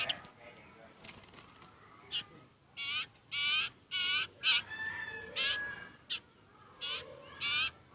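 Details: Very hungry sirpu (sirtu) bird begging: harsh, raspy buzzing calls, irregular at first, then coming every half second or so after a quiet opening, with faint background hiss.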